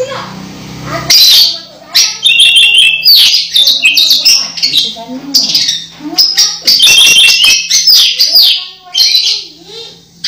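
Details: Orange-headed thrush almost moulting but singing busily; a long, varied run of rapid whistled and chattering high notes after a quiet start, with a steady low hum behind.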